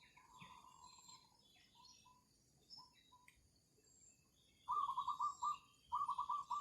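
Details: Zebra dove used as a lure to trap wild birds on a cloudy day following night rain in nesting season. Soft, distant cooing is followed by two loud bursts of rapid, pulsing coos, with faint chirps in the background.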